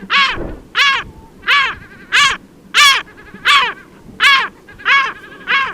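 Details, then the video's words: A Caspian gull gives a steady series of nine harsh, nasal, arching calls, about one every two-thirds of a second, each rising then falling. "Caspian Gull"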